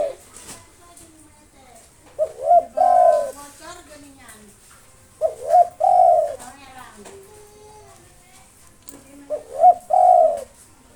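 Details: Spotted dove, local bird singing nonstop to provoke rivals, gives three cooing phrases, each two quick upturned notes and a long sustained coo, spaced roughly three to four seconds apart, with faint voices and a lower whistle between.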